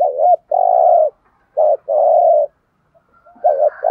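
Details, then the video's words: Decoy spotted dove calling to bring in wild doves, giving quick back-to-back phrases, each a brief wavering note then a sustained hoot, with a faint distant dove at the end. "Tiếng chim cu gáy kích bổi nhanh nổi rất nhanh nổi/ chim cu gáy mồi chai thúc gù bài bản giọng hay"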